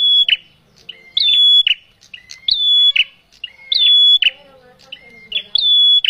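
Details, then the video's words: Male bar-winged prinia lure recording for trapping birds; five loud phrases, each a sharp note leading into a long even whistle and a buzzy close, with faint softer lower sounds between phrases. "Suara prenjak jantan pikat"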